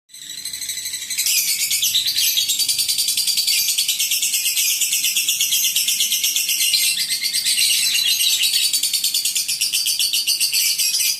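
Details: Lovebird singing in the long ngekek style known as "mentil" mode: after a brief start, a continuous, very rapid, shrill chattering trill runs unbroken for about ten seconds, evenly pulsed and high-pitched.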